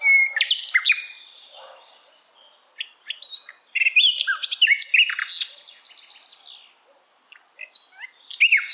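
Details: Asian brown flycatcher song, a tutor recording for other songbirds to copy: rapid bursts of high, sharp chirps and short down-slurred whistles, a quiet pause near two seconds, then dense twittering phrases.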